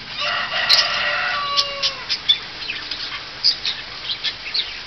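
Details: Parrot at a drive-through zoo park in Mooresville, North Carolina, talking only after the visitor walked away, saying "bye-bye": a nasal, voice-like phrase with layered tones, then scattered short squeaks and chirps.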